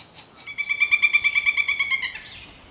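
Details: Pileated woodpecker calling a rapid burst of about fifteen loud, ringing notes in under two seconds, steady in pitch, rising slightly in loudness then fading, against a quiet background.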